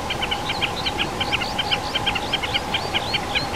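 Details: Common snipe recorded on a mountain peat bog in the Krkonoše at 1420 m, repeating sharp double ticking notes at a quick, even pace. Higher upslurred whistles from another bird run alongside, with a steady hum behind.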